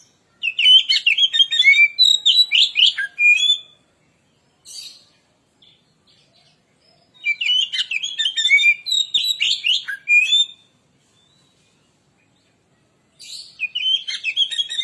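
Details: Oriental magpie-robin singing a provoking lure song: three long bursts of rapid, varied whistles, trills and scratchy chirps, with quiet gaps between them.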